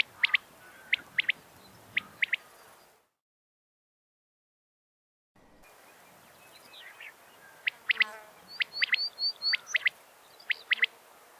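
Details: Female common quail call, used to lure quail: sharp, high clicking notes in quick pairs and triplets, repeated about once a second, with a brief silent break midway and a faint rural background.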